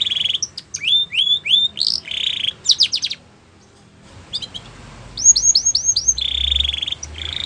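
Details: Belgian canary song opening with buzzy rolls and sharp upswept notes. After a short silent break come evenly spaced rising whistles and a closing buzzy roll.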